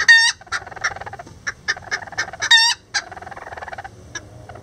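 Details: Lavender Bantam roosters and a hen build a nest together; two loud harmonic squawks bracket a run of short clucks, then faster, quieter clucking continues to the end.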